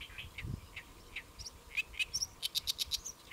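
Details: Great reed warbler singing from a lotus leaf at Saemangeum in Gimje, Korea, on a July midday; scattered croaking notes build into a fast rhythmic series of harsh, evenly spaced chirps, with a brief low thump early on.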